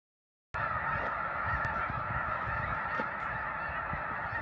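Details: Large wintering flock of snow geese at Tule Lake and Lower Klamath Wildlife Refuges on the California–Oregon border, a dense continuous chorus of overlapping honking calls with a low rumble underneath.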